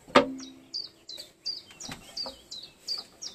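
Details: A bird singing solo outdoors; a thin high note with a downward step, repeated about every third of a second, after an opening click, with faint lower chirps in the background.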